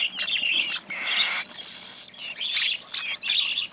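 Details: Young cockatiel taking hand-fed food: short sharp squeaks alternating with a longer buzzy rasp, then more quick chirps.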